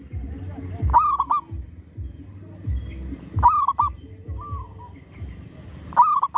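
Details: Lure zebra dove calling during bird trapping while a tree squirrel disturbs it. Brief, bent, fluting coo phrases come roughly every two and a half seconds over steady low-pitched background noise and a faint thin hum.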